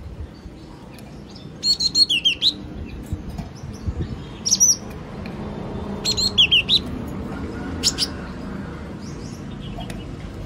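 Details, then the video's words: A yellow-cheeked tit repeats short phrases of sharp, high chipping whistles roughly every two seconds, some notes dipping downward, with a quiet low rumble throughout. "CHIM BẠC MÁ MÀO | Yellow cheeked tit"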